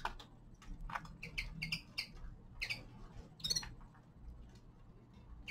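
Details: Young male common linnet singing in winter: quick chirps and short twittering phrases, with one brief rattling burst near the middle, against a faint steady hum.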